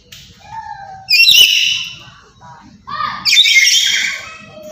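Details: Black-capped lory from Papua with loud calls meant to provoke other birds: two long, raspy, ringing screeches separated by soft chattering notes and a faint low buzz.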